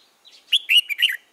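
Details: Young white-cheeked red-whiskered bulbul, early in the season, 13 March 2017. It gives one short bright phrase of four or five quick whistled notes, sliding up and down in tone, with a faint soft lead-in.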